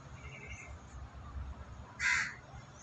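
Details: One loud, rasping crow caw bursts out after two seconds of quiet low ambient rumble, close to a group of white pigeons searching for food.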